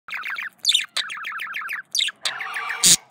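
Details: Male budgerigar, a pet parakeet courting itself, chattering in rapid bursts of descending chirps repeated in quick runs, with a few sharp squeaks and a buzzy, noisy stretch near the end.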